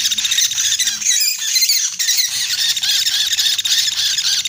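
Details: Rice woodpecker (pelatuk beras/sampit) lure call used to attract woodpeckers: a dense, high-pitched stream of squealing, chattering notes with barely a pause, shrill and slightly harsh throughout.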